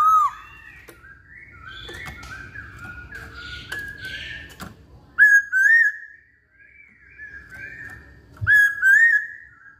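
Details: Chinese hwamei singing actively: rich whistled phrases wavering and looping in pitch, with a loud, ringing burst near the middle and another near the end, separated by quieter warbled passages and a brief silent gap.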